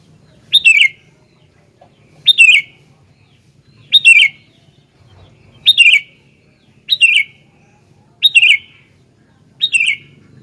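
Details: Sooty-headed bulbul in energetic song, repeating a short bubbly, slightly descending chirped phrase about every one and a half seconds, seven times, against quiet low background noise.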